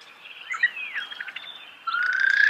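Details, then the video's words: Starling singing close by in a natural setting: faint thin notes and a short slurred whistle, then a loud, gradually rising whistle with a buzzy edge closing the phrase. "The song of the starling"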